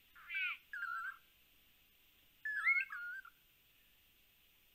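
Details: Lance-tailed manakins on a Panama live cam give two bursts of whistled calls, a rough rising note then wavering slurred whistles, about two seconds apart; a steady insect-like hiss runs underneath.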